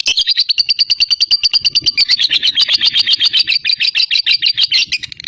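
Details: Loud, continuous ngekek trill from a fighter lovebird to provoke rivals: very fast, shrill, rattling pulses repeated without a break across the whole stretch.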